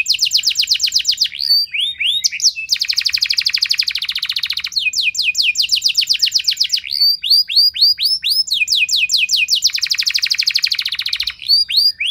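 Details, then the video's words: A long, loud 'nembak' canary song, used to make other canaries answer, with buzzy rolled trills alternating with runs of slurred whistles and chirps over about twelve seconds, delivered with barely a pause. "Pancingan Kenari Nembak Panjang Keras"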